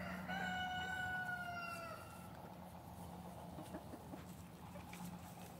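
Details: Crowing F3 Olive Egger rooster in a backyard flock at large. The clear, sustained, harmonic cock-a-doodle-doo opens the recording and fades after two seconds, leaving a steady low hum and faint rustling.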